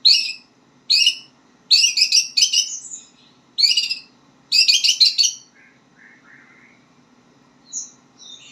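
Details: White-rumped shama learning to sing: bright, chattering multi-note phrases in short bursts, repeated about every second, then softer thin whistles trailing off, over a faint steady low hum.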